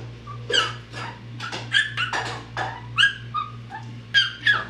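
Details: Pet parrot imitating whistling, speech such as "here kitty kitty", meowing, barking and yelling: a quick jumble of short, varied harmonic cries, bark-like yelps and brief whistled notes in uneven bursts, over a steady low hum.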